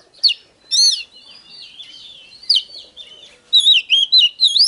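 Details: Oriental magpie-robin in hót déo song used to rouse other birds to fight: sharp whistled notes and soft warbling, then a fast loud run of rising and falling whistles at the end.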